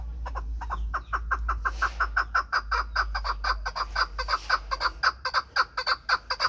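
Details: Pamir chukar partridge kept as a hunting bird: loud, rhythmic chuck notes repeated about twice a second for over six seconds. Each note is sharp and harsh, with a steady low hum in the background.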